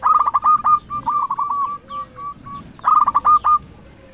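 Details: Lure zebra dove, a local bird in full voice, calling to rival doves: strings of short, clipped coos in fast rolling runs, fading to single spaced notes, then a louder rolling phrase returns.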